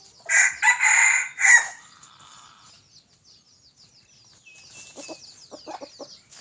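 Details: On a Friday morning, a red junglefowl rooster a little over a year old gives one short, harsh, broken crow of about a second and a half. Faint clucks and soft chirps follow.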